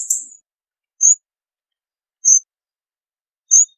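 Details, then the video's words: Hawfinch (Coccothraustes coccothraustes) giving sharp, very high, clipped 'tzik' notes, about one every 1.2 seconds, against silence. "Hawfinch Song! Hawfinch Call! Hawfinch Sound! - Picogordo Común Canto"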